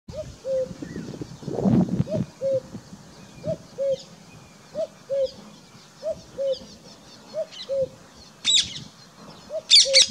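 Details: Common cuckoo calling in Shekhawati, Sikar, Rajasthan, India, in June 2021: a low, hollow two-note cu-coo, repeated about every 1.3 seconds, with a brief high chirp from another bird near the end.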